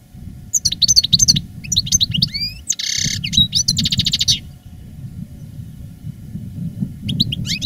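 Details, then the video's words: European goldfinch, a veteran reclamo-style master singer kept in a cage, recorded in 2017 after the moult: quick liquid twittering notes, then a dense buzzy rattle and tinkling trill, followed by quieter low background hum. "Canto del jilguero "el arrugao""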